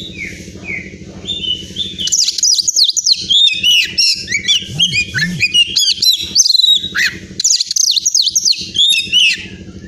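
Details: A caged Oriental magpie-robin from Pemalang in Central Java, Indonesia, a contest winner, delivers long rich song of fast varied whistles, trills and slurred chirps, with low rhythmic background noise throughout.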